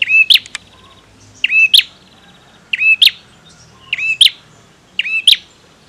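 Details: Male bar-winged prinia in vigorous song. Ringing paired notes with a quick upward flick repeat about once a second, over faint ticking and a low background murmur.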